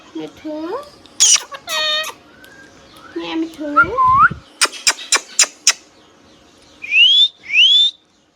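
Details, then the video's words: Hand-tame pet rose-ringed parakeet repeating word-like calls such as "Mittu" and "meow", then a row of sharp clicks and two loud rising whistles near the end. "Hand tame Parrot Talking video | Mithu Tote Ki Awaaz"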